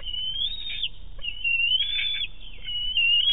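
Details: Bald eaglet at a Big Bear nest, 5.7.18, squealing excitedly as its mother flies in with a large fish for a hand-off: thin, high whistled squeals, drawn out and wavering, running almost without break.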